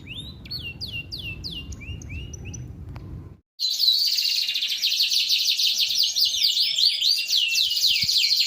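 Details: Energetic domestic canary song from Indonesia used as a singing lure: repeated downslurred whistles, a short silence, then a loud, dense, continuous trilling warble.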